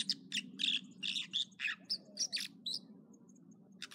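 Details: Morning song of an American dipper at Echo Lake, Trinity Alps, California: a quick run of loud, high, clipped notes, about three per second, some buzzy and some whistled, then a brief pause, above a constant low rumble.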